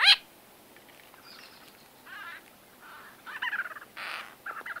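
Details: Conversation calls of white-fronted bee-eaters heard close: a sharp opening squeak, then soft buzzy murmurs building to a quick series of nasal chattering notes.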